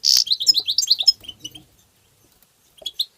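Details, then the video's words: European goldfinch tabtaba song: a loud buzzy opening note, then a rapid tumbling run of bright twittering notes for about a second, fading into silence before two brief chirps at the end. "ندهات تبتة حسون مقنين بتبتات وتغريد الحسون بتبتة مجنونة"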